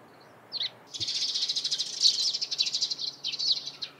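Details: Eurasian tree sparrow in the morning: an opening chirp, then a continuous, rapid chatter of high, buzzy chirping notes lasting several seconds.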